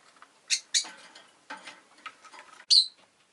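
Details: Rosy-faced lovebird giving four loud, harsh, buzzy chirps, uneven in spacing, with softer scratchy twitters and faint rustling between them.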